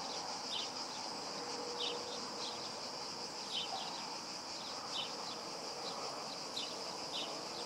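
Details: Juvenile cirl bunting recorded on 25 July 2017 at Skradin, Croatia, giving short, thin, high call notes repeated about once a second over a steady background hiss.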